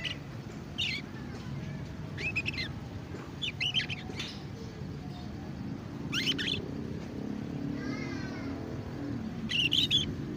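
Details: Young canary learning to sing, scattered short chirps and buzzy twittered notes in bursts every second or two, one rapid rattling trill, over a steady low background hum.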